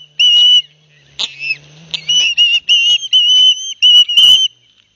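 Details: Two young ospreys receiving fish from their father at a nest at Barnegat Light, New Jersey, on 9 September 2021, seen by live cam. A lone whistle opens, then a brief pause, followed by a series of clear, slightly wavering whistled notes and a low steady hum.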